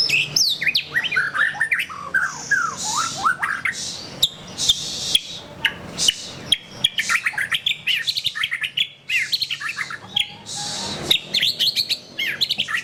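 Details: White-rumped shama, a kept songbird, in rich continuous song: bright rising and falling whistles, fast twittering runs, harsh rasping bursts and clicking notes, delivered in quick varied phrases with brief gaps.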